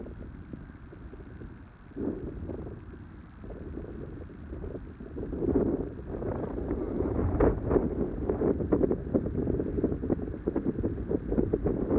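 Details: Rumbling wind and engine-like noise with low broadband hiss, growing louder toward the end, and no clear animal call.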